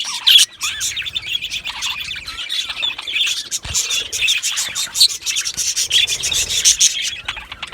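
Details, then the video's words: Chirping from a pair of male budgies: a buzzy, rasping chatter with sharp clicks and thin whistles, one loud burst early, then steady twittering throughout. "2 Male Budgies Birds Sounds | Australian Budgies Birds chirping sounds"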